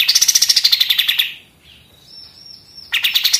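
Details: Rapid-fire 'machine gun' song of a pied triller, kept for tutoring other songbirds: a quick string of high staccato notes that slides slightly downward, a short faint whistled pause, then the fast chatter starts again.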